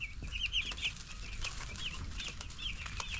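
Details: Ten-day-old broiler chicks being raised together, giving high, thin peeps in scattered bursts over a steady low hum and occasional knocks.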